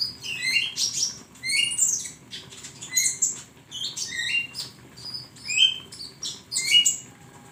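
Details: High, sibilant twitters from a flowerpecker, recorded to train songbirds: dense volleys of sharp chips, squeaky slurs and tiny trills follow one another almost without pause, roughly once a second.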